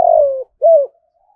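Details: Spotted dove 'thúc' call, used to lure wild birds to come and fight: a brief pair of deep coos, the first long and gently falling, the second shorter and arched.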